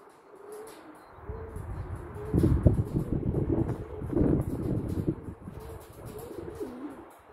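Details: Blue pied male pigeon recorded on 24 April 2022 giving low, soft, rolling coos that rise and fall repeatedly, over rumbling and shuffling noise.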